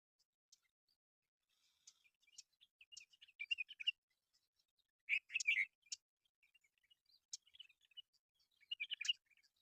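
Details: Mynas at a local reserve: sparse clicks and chirps broken by loud clusters of harsh, gurgling chatter at intervals of a few seconds.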